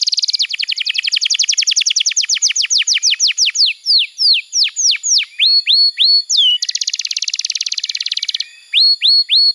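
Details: Canary tutor song for young canaries: a fast cascade of descending notes slowing into spaced slurs and upswept whistles, a dense buzzy roll, then repeated rising whistled notes.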